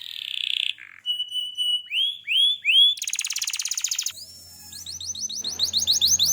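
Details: Energetic canary song in the gacor style, moving from a short buzzy note to steady whistles and rising slurred notes, then a dense rattling trill and quick upward-curving phrases, with a faint low hum at the end.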